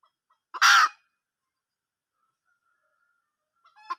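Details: Wild junglefowl hen calling: one loud, harsh, broadband squawk of about half a second, followed by silence and a few faint soft notes at the very end.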